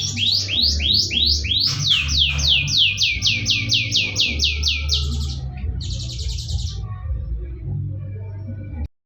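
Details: Canary singing a long tour of identical downward-sweeping whistled notes, about four per second, then a brief buzzy trill after a pause, over a steady low hum and faint background music.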